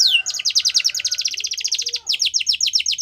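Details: Yorkshire canary performing a training song for young canaries, a sustained rapid trill of bright sweeping notes, several per second, with a faint low hum behind.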